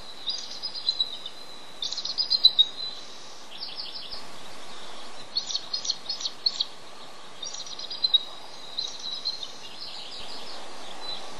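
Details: On the nest with eggs, a male bald eagle waiting hours for relief by his mate gives repeated bouts of high, thin, chattering whistles, each burst a quick string of squeaks separated by short gaps, over background hiss.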